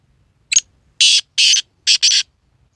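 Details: Black francolin calling in January 2024: a quick sharp opening note followed by four loud, buzzy, rasping notes, the final pair nearly joined, against a quiet background.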